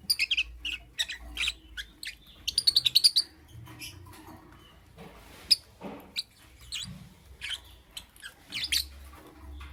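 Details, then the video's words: Irregular high chirps from a lovebird in the morning, including a quick run of about eight rapid tweets, later single squeaks and some lower rasping notes, with a low hum throughout. "Amazing Lovebird - Beautiful Colors - Chirping Sounds"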